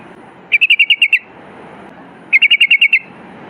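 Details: Sooty-headed bulbul in lively, long-phrased song, used to prompt other bulbuls to sing: two quick bursts of about seven bubbly, even notes, about two seconds apart, over a soft background hiss.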